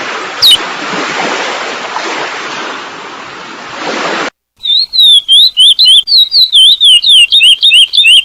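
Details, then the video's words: Sea-wave surf fills the first half, then a chestnut-bellied seed finch (curió) takes over with the selo prata song with balanço, a teaching song for other birds: rapid, loud, slurred high whistles repeated several times a second. "canto do curió selo prata com Balanço"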